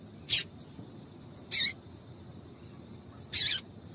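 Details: Female yellow-bellied seedeater calls used to stir up males for singing contests: three sharp, harsh chips roughly every one and a half seconds against low background hiss.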